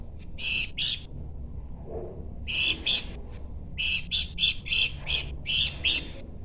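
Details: Pelanduk semak, a babbler, singing: bursts of bright chirpy notes around 2 to 4k in short clustered phrases, pausing then resuming in quick groups, over low background rumble.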